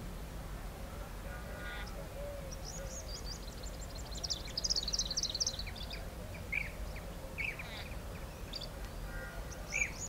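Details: European bee-eaters at a nest colony giving scattered, high, liquid chirps and short trilled notes from several birds at once, over a steady low rumble of background noise.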